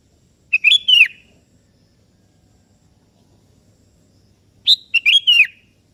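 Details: Sooty-headed bulbul, singing eagerly to call a rival, which answers back. Two brisk, liquid whistled phrases about four seconds apart. The second starts with a sharper upward note before the falling flourish. The background is quiet.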